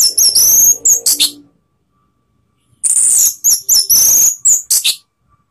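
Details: Orange-headed thrush singing to provoke rivals, a lure recording: rapid, very high whistled phrases with sliding notes and sharp chips in two loud bursts separated by a pause of over a second.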